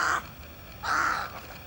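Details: Jacana feeding at the edge of a reed bed on Laguna de Monte, Buenos Aires province, Argentina, giving two harsh, rasping notes about a second apart, the second longer and louder, over faint hiss.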